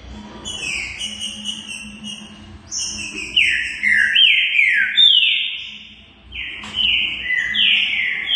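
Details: Green-winged saltator in Brazil singing at length: soft high twittering at first, then strong whistled phrases of falling slurred notes in quick succession, with a quiet low background hum throughout.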